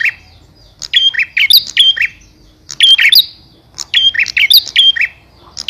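A male bar-winged prinia gives quick bursts of sharp, high chirps and whistled notes in two lively phrases, calling to the female. No other sounds intrude.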